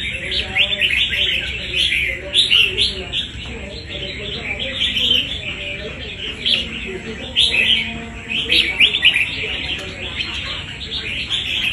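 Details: Red-whiskered bulbul, a wild-caught fighter, singing busy chattering phrases of quick whistled and slurred notes in repeated clusters, with faint human talk in the background and a steady high hum.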